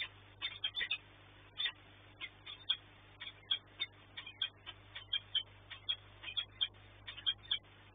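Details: Peregrine falcons at the Orlen nest in Płock, Poland, during a night food delivery on 13 March 2024: short, sharp, scratchy notes fall in quick uneven clusters and keep going throughout.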